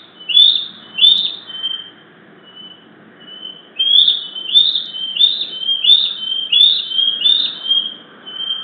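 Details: Bald eagle eaglets, a pair filmed by nest camera in Hays on 07-06-2023 at 15:40, reacting to a parent's flyby. High squealing squees come in a pair, then a pause with faint notes, then a quick run of about seven overlapping squeals.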